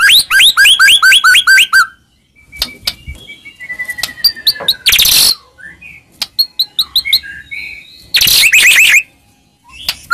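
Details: White-rumped shama song used to stir a silent shama into singing: a quick run of repeated rising whistles, then sparse chirps, a thin descending whistle and two loud harsh bursts.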